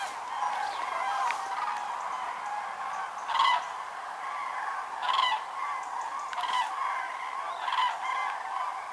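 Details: A huge flock of common cranes at Lac du Der-Chantecoq, Champagne-Ardenne, France, in autumn 2014, with a record of over 206,000 birds gathered, fills the air with rolling, trumpeting calls, louder bugles rising every second or two.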